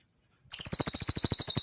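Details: Cililin singing in training material for songbirds: after a brief silence, a sudden loud, high, buzzy trill of fast, even pulses runs unbroken to the end.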